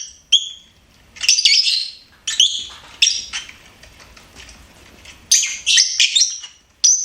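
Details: Pet lovebird chirping: bursts of high, harsh chirps and short whistled notes, separated by brief pauses, in a quiet indoor setting.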